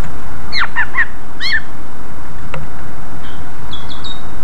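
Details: Greater green leafbird singing loudly in the open, ringing style used as a lure to draw quick responses from other leafbirds: several sharp, sweeping whistled notes in quick succession, a single click, then faint high thin notes, over a steady low rumble.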